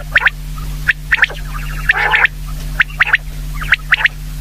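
Common quail giving short, paired, slightly nasal notes, some buzzy and rasping, spaced irregularly about once a second over a steady low electrical hum.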